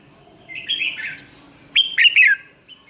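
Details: Lure song of a red-whiskered bulbul for training caged birds: a blurred warble followed by a sharp, bright whistled phrase with falling notes.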